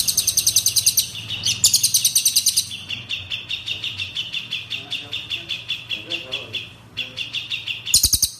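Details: Cililin, an Indonesian songbird, in a bright, full-voiced training song: rapid high chirps repeated about three per second over a steady trill, with brief bursts of sharper, higher notes at the start and end.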